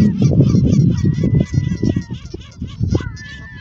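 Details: Canada Goose calling at Westbroekpark park, Scheveningen, The Hague. Rapid, uneven honks, roughly three a second, strongest at the start and then softer. A faint high whistle is heard alongside.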